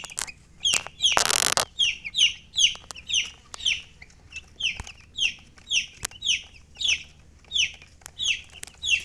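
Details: Chicks give repeated shrill, downward-sweeping peeps at a steady pace, interrupted early by a short burst of broad rustling noise; faint clicks and low hum throughout.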